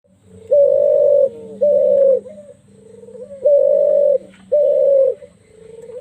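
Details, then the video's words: Wild spotted dove with a deep, heavy, rough voice: a long series of low hollow cooing notes, each held about half a second, in pairs with short gaps, steady and sonorous; otherwise quiet. "burung tekukur alas,suara jeru,dalem,gede,ngorok,serem.."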